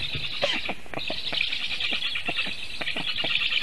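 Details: Young Black storks at a Latvian nest in Sigulda region, 1 August 2021, react to a goshawk that landed during feeding. They give raspy, high hissing calls that swell after a brief dip, mixed with woody knocks and clatter.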